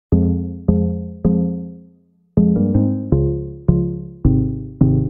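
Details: Only music is heard: repeated electric piano or synthesizer chords with deep bass notes, struck about every half second, and no animal voice.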